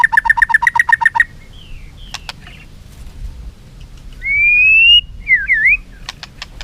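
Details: Singing duel by a white-rumped shama with tail flicking: a rapid trill of repeated notes opens, followed by sparse clicks, a long rising pure whistle and a quick zigzag phrase.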